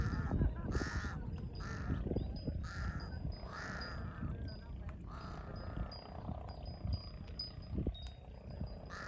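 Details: A large-billed crow in Cambodia, a species common around water where it feeds on fish, worms and insects and steals food, so villagers call it the thief-bird, gives five or six harsh, hoarse caws at an uneven pace over low rumbling wind and a faint high whine.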